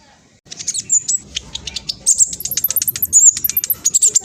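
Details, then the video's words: Olive-backed sunbird singing quickly and insistently, said to prompt all birds to respond: a long run of crisp, high ticking notes and thin squeaky whistles, accelerating after two seconds. "Kolibri blacksunbird trotol speed cepat semua burung akan ikutan nyaut respon"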